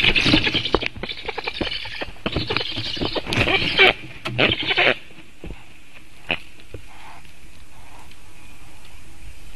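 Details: Black stork chick begging on its nest in Latvia on 7 August 2018 at 11:37 as a parent returns to feed it, caught on a nest webcam: harsh, raspy broadband bursts over about five seconds, then quieter scattered sounds.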